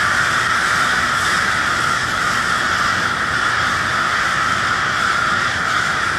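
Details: Crows gathered in Westport, Kansas City, on a cold twilight evening, their many harsh caws merging into one steady, unbroken clamor without pauses.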